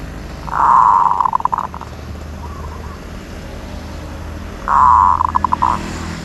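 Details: Two phrases from a zebra dove praised for its 'od' trill, each a loud, steady, purring trill ending in a quick stutter of staccato notes, with a quiet gap between them.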